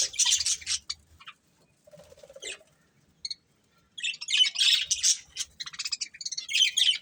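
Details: A breeding pair of budgerigars chattering in dense bursts of high, rapid, buzzy chirps and warbles, with a short lower squeak, a near-silent pause around the middle, then quick twittering again.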